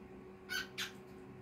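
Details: Two brief, harsh squawks from a cockatiel, the second rougher than the first, set against constant low humming room noise.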